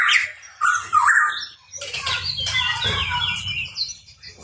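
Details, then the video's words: Hooded pitohui (cucak rawa Papua) gives a quick run of clear whistled notes and sharp chirps, varied in pitch, over a soft low rumble. "Pitohui Bird Chirping"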